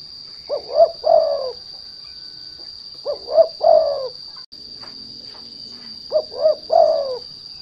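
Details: Spotted dove lure cooing meant to make untrained doves sing: three phrases of two rising coos and a drawn-out descending coo, spaced about 2.8 seconds apart, over a steady high tone that cuts out briefly.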